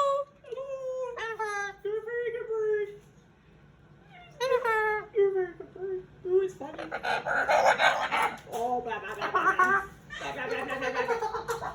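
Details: Indoors before bed, a pet male Moluccan cockatoo gives drawn-out whining and falling nasal calls, then harsher grating calls, with a woman's laughter and talk in between; recorded June 2020.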